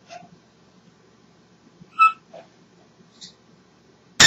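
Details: An African grey parrot named Jojo talks away happily, giving a few brief, scattered vocal sounds: a low squawk, a clear mid-pitched whistle, then a thin high chirp, ending in a loud harsh burst.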